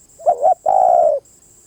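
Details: Single spotted dove phrase up close: a quick double hooked note, a short pause, then a sustained, slightly falling coo of about half a second, over a thin, steady high tone.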